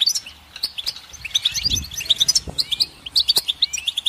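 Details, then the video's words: Goldfinch twittering: bright, clipped high notes in short runs, a couple of upward-sliding whistles, and a soft low thud partway through. "Goldfinch Song"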